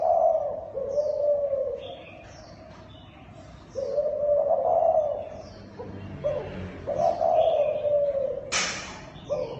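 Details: Zebra dove, called Thai dove locally, delivering soft purring coo phrases in bursts with a quiet gap midway, plus a sharp click near the end.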